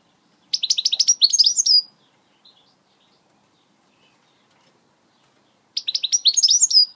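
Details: British goldfinch giving two bursts of switty song notes about five seconds apart, each a fast, high, tinkling and buzzy string of roughly a dozen repeated notes over a silent background.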